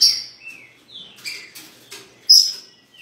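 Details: A newly acquired Green-winged saltator (Saltator similis) in Rio de Janeiro, described as still weak, sings short, clear whistled phrases, some sliding and some sharp, in high notes spaced a fraction of a second apart.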